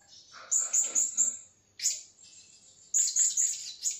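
Blue-crowned hanging parrot giving shrill, very high, thin chirps in quick bursts of three to five notes, with short pauses between bursts.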